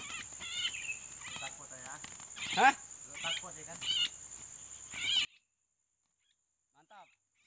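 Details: Sooty-headed bulbul, a fighting bird, calling to lure and challenge a rival: loud, harmonic, chattering notes in quick bursts for about five seconds, ending abruptly in near silence with one faint later note.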